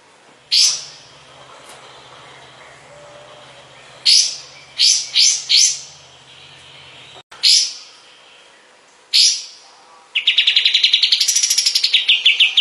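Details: {'text': 'Sooty-headed bulbul (kapas tembak) recorded as a master for tutoring other cage songbirds: scattered loud sharp chips and short clusters with pauses between, ending in a rapid ringing trill that rises then falls.'}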